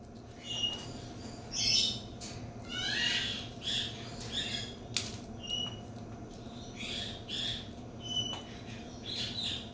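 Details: Scarlet macaw at a parrot rehoming centre near Charlotte, North Carolina: harsh, raspy squawks in irregular bursts every second or two, mixed with a few short, thin whistled notes over a low steady hum.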